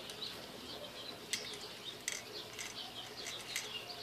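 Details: A female pet parakeet playing with a new toy chatters in a steady run of high, scratchy warbles and chirps, broken by a few sharp clicks or taps.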